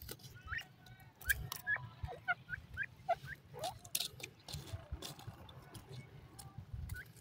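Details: Grey francolin, male and female, giving a busy run of short, sharp whistled notes, some rising and some dropping, mixed with clicks and knocks over a steady low hum.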